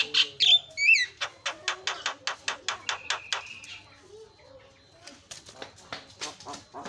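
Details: Varied Javan myna song meant to rile other mynas: brief whistled squeaks open into a steady series of sharp dry clicks at about three per second, then a quieter pause before renewed scratchy bursts.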